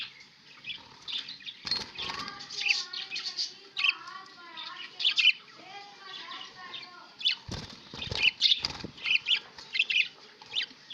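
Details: Pet budgerigars recorded on 11 October 2016, chattering continuously with warbled, wavering whistles and scratchy high chirps, broken by several sharp clicks or knocks.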